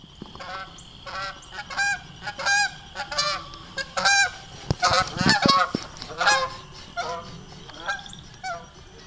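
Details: A pair of Canada geese flying low overhead; loud nasal honks with rich harmonics, given in irregular overlapping bursts from both birds, growing busier in the middle and thinning toward the end.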